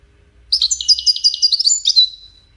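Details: European goldfinch Widani song for tutoring chicks: a short, lively phrase of clear, high chirps and twitters that ends in a thin, drawn-out whistle.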